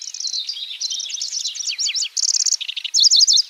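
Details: Lanceolated warbler in varied chattering song: a dense stream of quick zigzag high notes, a brief high reel, a lower scratchy burst, then a loud string of sharp repeated notes.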